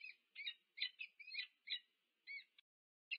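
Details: Wild peregrine falcon pair meeting at their nest on the UC Berkeley campus, USA, on 2 November 2022, recorded by a nest camera: a quick series of harsh, rasping notes, some doubled, irregularly spaced, with clean quiet background.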